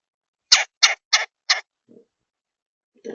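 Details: Red-bellied woodpecker giving four harsh, raspy broadband notes in quick succession, roughly a third of a second apart, followed by a faint low note and a softer, lower rasping call at the end; otherwise quiet.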